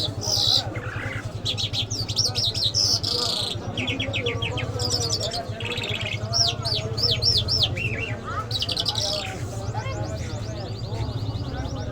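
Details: Iranian lark, known locally as jal, in the Mashhadi mast singing style, delivering a varied song of rapid repeated chirps, quick rising and falling whistled notes and trills, over steady low background music.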